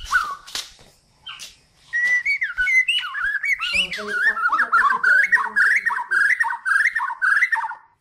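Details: White-rumped shama from Kalimantan, the Borneo form, in full song as a master recording for training songbirds: varied whistled phrases and warbles rising and falling near the middle range, with rapid chattering notes and sharp clicks, after a few brief opening notes.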